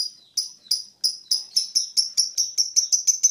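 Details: A lovebird in a long continuous chattering bout gives a shrill, high chatter of sharp repeated notes, about a dozen in three seconds, speeding up as the burst continues.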